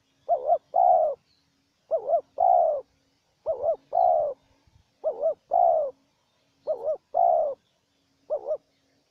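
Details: Wild spotted dove calling back and forth with a decoy bird. Steady series of six phrases, each a wobbling two-part coo joined to a longer level coo, repeating roughly every one and a half seconds. Little else audible.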